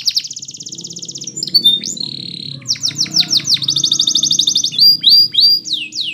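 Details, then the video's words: Belgian canary singing as training for other canaries. Long fast rolls of high repeated notes alternate with held whistles and sharp downward-sweeping notes, with about three pulses per second in the louder passages. Soft low background hum. "The Belgie Canary's Seduction for the Canaries to Stop Sounding"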